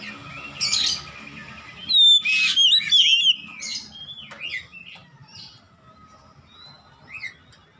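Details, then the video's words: Oriental magpie-robin song in the ngeplong gacor style, kept to train caged birds at home: a burst of sweet whistled slurs and rising notes in the first four seconds, then faint scattered chirps. "AUTO NGEPLONG GACOR KACER ANDA DIRUMAH"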